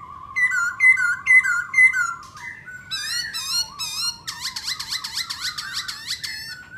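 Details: Singing and dancing black laughingthrush. A steady trilled whistle runs under repeated clear chirps, then shifts into rising glides and dense rapid bursts of rich, ringing notes.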